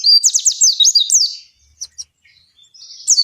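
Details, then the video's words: Oriental white-eye, a long singing 'ngalas' phrase played to make caged white-eyes sing: a quick burst of high descending slurred notes, then near silence with faint chips and a renewed twitter at the end. "Suara Pleci Gacor Ngalas Panjang ini Yang bisa Bikin Plecimu Cepat Ngalas"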